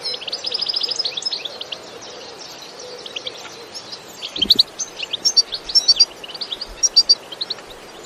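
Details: European goldfinch, recorded in nature without sound effects, with a bitbita song: a quick buzzy trill and twitter, a quieter stretch with a brief knock, then bright, spaced chirping notes repeating to the end.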